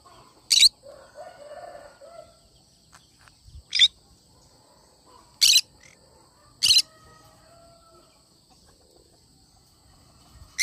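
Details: Cinnamon green-cheeked conure repeating short, rasping screech calls, five sharp bursts spaced one to three seconds apart, with quieter faint sounds between them.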